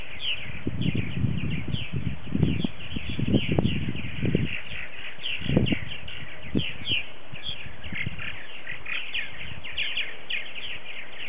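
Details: Purple martins, 60 to 70 adult birds at a colony with 44 gourds, on a February 28, 2018 morning social early in the season: many overlapping chirps, gurgles and short rising notes from several birds, mixed with loud gusting wind.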